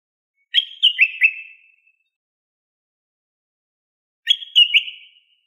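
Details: Common bulbul (Pycnonotus barbatus), the Moroccan bulbul known locally as al-watwat, singing a tutor song for teaching captive bulbuls: two short whistled phrases of three or four bright, slurred notes, separated by about two and a half seconds of silence.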